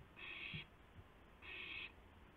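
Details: Owl recorded at 2:51 AM on 2 April 2016 as one bird brings a gopher to another; two harsh, hissing screeches of about half a second each, roughly a second apart, over a faint low background hum.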